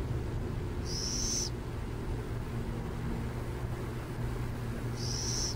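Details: Near San Jose, a burrowing owl utters two raspy, high hissed screeches about four seconds apart against a low rumbling background.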